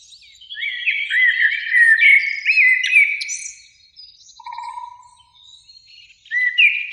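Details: Mellow whistled blackbird phrases with quick slurred notes from a spring beech near a lake at evening, followed by quieter high twitters, a low steady whistle, and a fresh phrase starting at the end.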